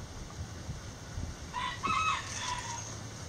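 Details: Chickens in a backyard coop give a short harmonic crow of about a second, moderately loud, preceded by soft low scratchy sounds and light background noise.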